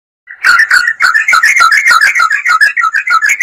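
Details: Yellow-vented bulbul in lively, non-stop song, played as a lure to set other birds singing: a 3-second run of quick bubbly notes bouncing between mid and higher pitches after a brief silence.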